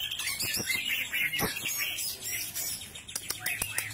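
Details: Greater green leafbird in full 'gacor ngentrok' song, kept as a reference for training other birds: dense run of sharp chirps, clicks and quick high twittering notes, many short bursts tumbling over one another with a few lower ticks.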